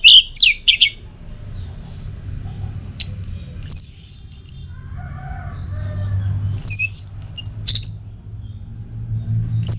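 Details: Orange-headed thrush, North Bali, in a prompting recording for the teler song: scattered sharp whistled notes and high downslurred phrases, separated by quiet gaps with faint low hum.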